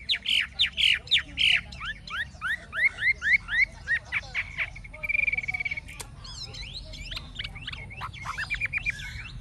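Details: Older wild-caught Chinese hwamei in a cage, forest-voiced. It sings a run of strong rising whistled notes repeated several times a second, then a steady high trill, then mixed fast chirps, with faint low background rumble.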